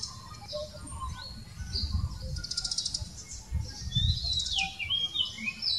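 A magpie robin sings a varied run of clear, high whistles and quick rising and falling slurs over a steady low rumble of background noise.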